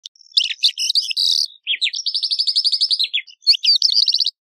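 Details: Calandra lark singing a fast, varied song of chirps and rattling trills, with a long run of rapid repeated notes and a buzzy jangle at the close, all high-pitched against a quiet background.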